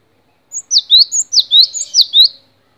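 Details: Song of the gelatik batu (cinereous tit) for training other songbirds: a short, crisp series of high, falling whistled notes paired in quick rhythmic couplets, around seven notes, with silence before and after.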